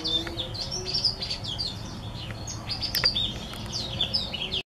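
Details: Hybrid mule of a green singer white tip and a Timbrado hen delivers a steady stream of high, sweet twitters and quick chirping trills, ending abruptly.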